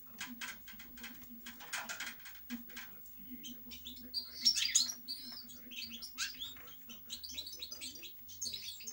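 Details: European goldfinch song: scattered twittering notes and tinkling trills, busier after the midpoint, with a steady low hum throughout.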